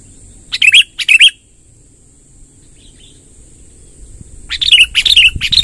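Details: Sooty-headed bulbul in long rolling 'ngerol panjang' song, used as a lure to gather wild bulbuls: two short bubbly warbled phrases, a pause of about three seconds, then a run of chattering phrases, over a steady high whine.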